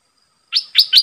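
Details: Decoy red-eyed bulbul calling toward wild birds: three sharp, upward-flicking chirps in rapid succession.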